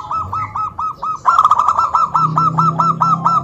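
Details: Zebra dove calling to provoke other doves into replying: a steady series of short, hooked coo notes about every quarter second, broken by a quick rolling trill in the middle.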